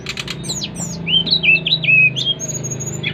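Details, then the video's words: Brown-chested jungle flycatcher from Bali singing vigorously to prompt other birds of its kind to sing: a few high buzzy notes, then clear, slightly wavering whistles and slurred phrases, over a steady low hum. "Kicauan SRDC Bali Gacor memancing Srdc lain ikut gacor"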